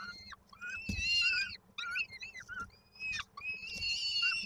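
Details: Peregrine falcons being fed at the nest in Koszalin, Poland, on 19 May 2022, giving repeated loud, harmonic, quavering wails in bursts of half a second to a second, separated by short gaps, with some low thumping.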